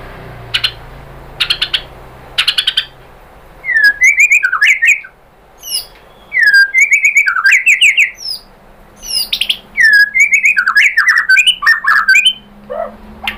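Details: Lure recording of a white-rumped shama, meant to make another bird answer in song. A few sharp clicks lead into bursts of varied whistled phrases, quick trills and slurred notes, with a low background hum.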